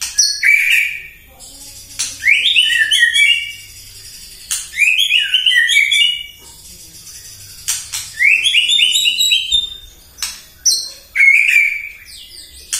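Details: Morning song of a white-rumped shama used to provoke other birds: repeated loud phrases opening with sharp clicks and running into cascading whistled notes, about every two to three seconds.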